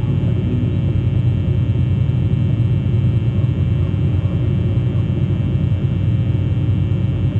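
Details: Deep, steady engine or traffic rumble throughout, with no animal calls.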